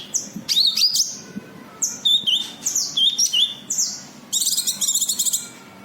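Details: Sharp, twisting whistled chirps come in short bursts from a cucak kinoi white-eye meant to lure other birds, finishing with a rapid, very high buzzy trill.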